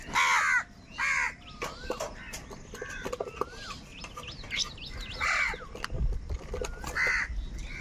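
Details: Several crows call loudly and angrily while fighting for food, giving a series of hoarse caws at irregular intervals, with fainter rising calls from other birds between them.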